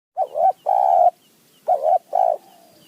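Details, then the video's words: Wild spotted dove from high mountain forest answering a decoy, giving deep hollow coos in two phrases, each a short wavering note then a longer steady one, with faint thin chirps of another bird behind. "นกป่าคารม โยน 4 3 2 1 กุก เรียก 1 2 กุก"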